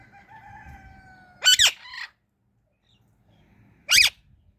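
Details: Indian ringneck parrot chirping: two loud, harsh, harmonic-rich bursts about two and a half seconds apart, the first a quick doubled note, after a faint steady whistle-like tone.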